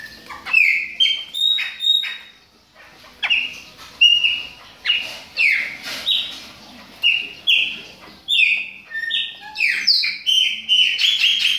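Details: Moulting caged Chopi blackbird warming up, delivering a long series of ringing whistled notes, each starting with a sharp upward flick then held steady, in bursts separated by short pauses, shifting pitch between phrases.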